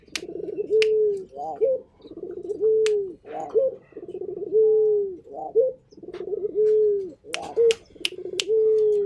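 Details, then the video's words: Local Indonesian Barbary dove (puter) calling persistently: deep, rolling coos, each a throaty purr ending in a long smooth drawn-out note, repeated about every two seconds, with sharp clicks and taps in the background. "Burung Puter Gacor"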